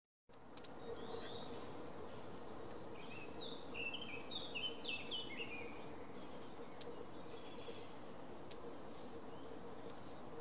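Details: Long-tailed tits recorded 5 May 2019 give a flurry of thin, high chirps and short sputtering notes over a few seconds, over a steady hiss of wind or distant background noise.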